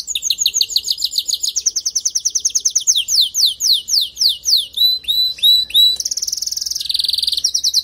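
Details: Singing male canary, song aimed at making a female build her nest within days: long runs of rapid rising whistled notes, then looping swept phrases and fast high trills, continuous throughout.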